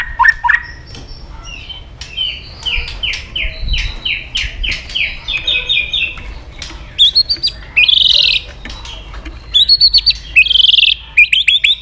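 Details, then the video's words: White-rumped shama song used to provoke aggression: a long series of descending slurred notes repeated rapidly, followed by loud harsh buzzy bursts and sharp high whistles. "AWAS MURAI BATU MU IKUT EMOSI"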